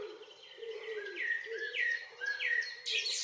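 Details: Common blackbird singing on a June evening in northwest Zealand, Denmark: mellow fluted phrases, each a rising-then-falling whistle repeated about every half second, with a higher squeaky flourish at the end, over a low steady wavering background hum.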